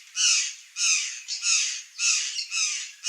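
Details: Gralha-do-campo, or Curl-crested jay, calling freely in the wild in Brazil: a steady series of six coarse, noisy squawks, each about half a second, delivered in an even rhythm with short gaps between.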